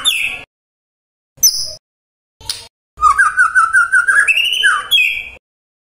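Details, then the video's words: Murai song meant to make any other murai that hears it respond at once: a short whistled note, brief sharp chirps, then a long rapid trilling phrase rising stepwise into higher ringing whistles. "AWAS TAJAM❗❗SETIAP MURAI YANG DENGAR, LANGSUNG TERSENTAK MERESPON❗❗"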